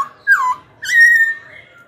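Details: Two clear whistled notes from a Black-throated laughingthrush, sung to provoke rival birds and coach young ones: a falling slurred note, then a longer steady whistle that fades out slowly.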